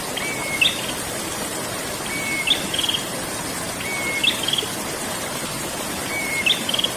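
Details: Prenjak, a prinia, in rolling ngerol song: four phrases, each a flat whistle rising into a bright chattering trill, repeated roughly every two seconds against constant water-like hiss.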